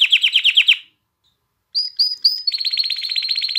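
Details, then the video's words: Canary song meant to prompt mating in females and singing in chicks: quick falling chirps in a rapid run, a short silence, three clear high whistles, then a bright rapid trill. "تغريد كناري نار لتهييج الإناث على التزاوج وتحفيز الفراخ على التغريد"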